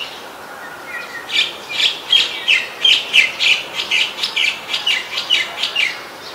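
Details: A White-vented myna in Ubon Ratchathani, Thailand, photographed 29 December 2019, delivers a steady string of loud, grating squawks, about three per second, for several seconds.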